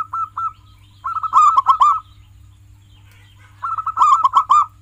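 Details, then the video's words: Song of a local zebra dove used to encourage pet doves to sing: soft rolling runs of short notes with loud, ringing arched coos layered over them, repeated after a quiet gap. "Masteran perkutut lokal gacoran, pancing dengan suara ini agar perkutut jadi gacor"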